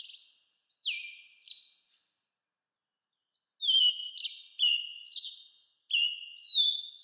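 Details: American robin in an 8D recording: two sharply falling whistles with buzzy accents, a pause, then a rapid series of clear descending whistles alternating with rougher notes. No other sounds are present.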